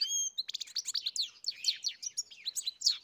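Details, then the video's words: European goldfinch opening with a clear whistled note, then bursting into rapid chattering twitters and descending slurred chirps, high and jangling, repeated in quick succession. "Καρδερίνα μελωδία (Goldfinch carduelis SINGING)"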